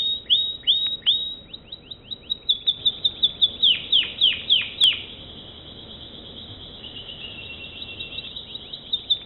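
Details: American Singer canary singing a run of quick downward-swooping whistled notes, several per second, then a steady sustained high trill that fades into softer chirps near the end.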